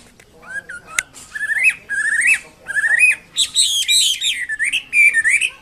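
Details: Chinese hwamei in full lively song, a chain of rising whistled phrases that run into rapid varied warbling with harsh scratchy notes, loud and continuous.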